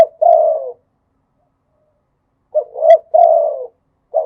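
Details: Spotted dove in the khat and nun singing styles: a long, falling coo ends one phrase, then after nearly two seconds of silence a full short-rising-long coo phrase follows, and a new one starts.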